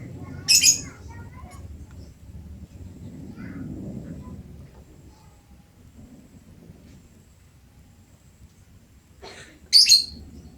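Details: Lovebird singing very actively: two brief, piercing, screechy bursts about nine seconds apart, separated by a low, quiet background rumble.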